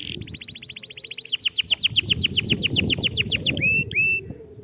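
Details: Canary singing to motivate a silent bird: a fast series of short notes, then a slower run of about twenty sweeping chirps, ending with two upslurred whistles, low noise underneath.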